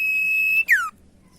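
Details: Common iora song used as a lure to get other ioras singing: one long, steady, high whistle held for over half a second, then a loud whistle sliding sharply downward, followed by quiet.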